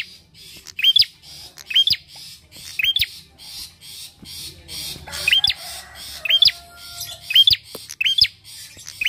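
Bar-winged Prinia giving sharp, high, squeaky chirps that rise then drop, about one each second, over a faint low rumble.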